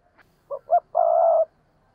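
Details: Spotted dove used as a decoy, cooing in the thúc and gù manner: two short clipped notes followed by one long level hollow coo lasting about half a second, with faint low background hum.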